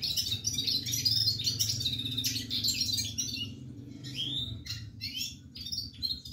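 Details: Red-fronted serin in full song, a quick run of high, scratchy twitters and chirps, then a few separate rising and falling slurred notes, all above a soft low hum.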